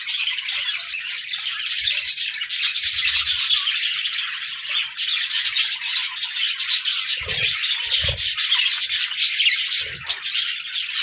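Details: Budgie flock recorded on 14 January 2024 pouring out unbroken, busy warbling song full of fast squeaky chirps, with a few dull knocks in the second half.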